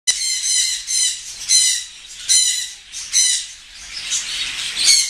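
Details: Pair of African grey parrots; loud, harsh, raspy squawks repeat roughly every second, with softer scratchy notes between them.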